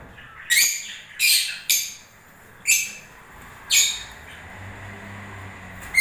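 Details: Lovebirds in breeding season with short, sharp, high squawks, five or six separate bursts spaced roughly half a second to a second apart, over quiet background.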